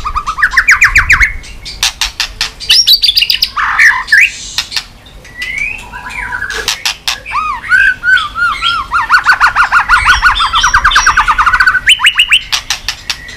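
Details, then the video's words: White-rumped shama singing fast, roused to a fighting mood, tail flicking. Bursts of loud clicks lead into looping whistles, then a rapid rattling trill of repeated notes, with clicks returning between phrases. "chòe lửa tạch đập đuôi sàn cầu dùng kích lửa cho chòe lửa lên lửa cực nhanh hót.Chòe Lửa đánh đuôi"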